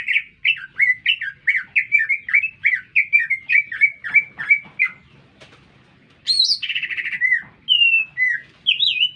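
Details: A green leafbird sings nonstop in town. Quick, repeated chirping whistles form a steady run, then a pause, then a high squeal, a buzzy slur and clear rising whistles. A faint hum runs underneath.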